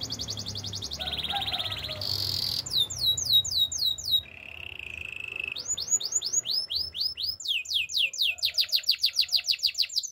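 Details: Canary song alternating rapid high trills, a lower buzzy roll, series of steep down-slurred chirps and a brief level whistle, repeated at roughly three notes a second.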